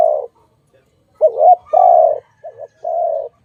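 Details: Dove calling in a bird-trapping setting, the birds later released: a low hoarse coo trails off, then after a pause a short wavering double note leads into a long steady coo, followed by another brief note and a sustained coo.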